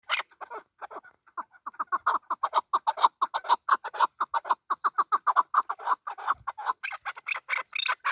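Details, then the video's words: Male chukar partridge calling: a long run of quick, clucking chuck notes, roughly two a second, steady at first and turning harsher and more rasping toward the end. "Male chakor voice"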